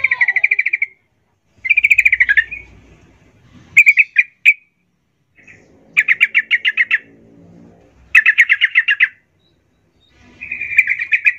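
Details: Yellow-vented bulbul's lively chatter, used as a lure to make other bulbuls sing: bursts of rapid, bubbly mid-high notes, each about a second with short pauses, over a faint low rumble.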